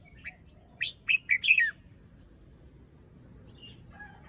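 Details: Morning song phrasing from a red-whiskered bulbul, plumage fluffed, moult incomplete, crest drooping: a soft lead-in note, then a quick, loud phrase of four rich whistled notes falling at the end, followed by quiet.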